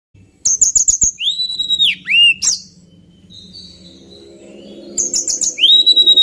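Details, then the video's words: Male White-browed Shortwing singing: rapid bursts of sharp, very high chips, then loud downslurred whistles, a quiet pause with a faint low hum, and another burst of chips ending in a slurred whistle. "Tledekan Gunung Jantan"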